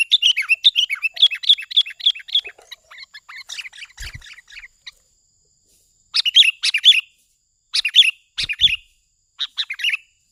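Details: Lure call of a sooty-headed bulbul, a lively run of quick chirped phrases trailing into softer notes, then after a gap several separate bubbly double-note phrases, with a couple of low thumps.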